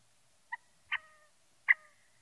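Scaled quail giving three short nasal notes, the last two sharper with faint trailing tones, spaced under a second apart against a quiet background.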